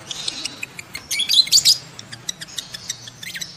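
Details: Breeding-mood lovebird calls, played to stir adult lovebirds to mate: a brief clump of piercing, high squeaky chirps, followed by a scattered series of short sharp ticks and thin faint squeaks.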